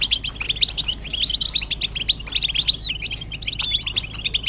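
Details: Stimulating group twitter of European goldfinches, mating calls said to make males sing: clusters of fast, bright chirps and a few thin whistled notes, rising and falling in bursts, over a soft low hum.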